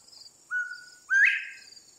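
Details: A Northern bobwhite singing its song: a short level whistled note, a pause of about half a second, then a louder whistle sweeping steeply upward, over a quiet background with a faint high steady hiss.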